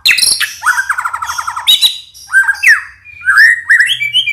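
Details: White-rumped shama song played as a lure for other shamas to answer: harsh burst, then a fast rattling trill, followed by sliding whistled notes rising and falling, ending in clear level whistles.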